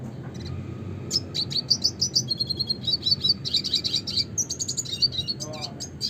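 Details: Red siskin, Spinus cucullatus, in classic song: after a brief pause it launches into a fast, continuous high twitter of chips, trills and buzzy notes that keeps going to the end, with a faint low hum behind.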